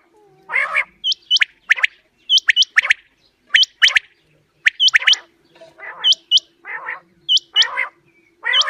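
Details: Quail calling as a hunting lure: sharp hooked whistled notes in quick pairs alternate with rasping broadband bursts, about one phrase per second. A faint constant hum sits underneath.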